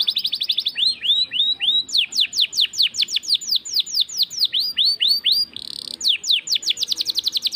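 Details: Canary in full, persistent song in an ornate, luxurious style. Rapid trills of high, sharply down-slurred whistles run in quick series, switching between note types. A brief buzzy note comes just before six seconds.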